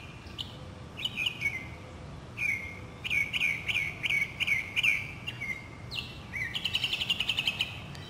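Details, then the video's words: Northern mockingbird singing in spring in a city neighbourhood in South Carolina, 2008: high, clear phrases, each note repeated several times in quick bursts before switching to a new phrase, ending in a rapid buzzy trill. "Voices of Spring: Mockingbirds"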